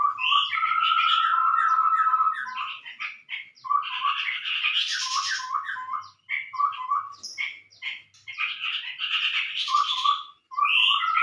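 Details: Chestnut-rumped babbler lure sound: opens with a long steady whistle under chatter, followed by rapid, jerky clucking and chirping phrases repeated in quick bursts with short breaks.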